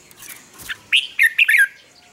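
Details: Red-whiskered bulbul singing in the morning, recorded as a lure for training birds: a rapid run of four or five clear warbled whistles, rising and falling, after a brief soft rustle.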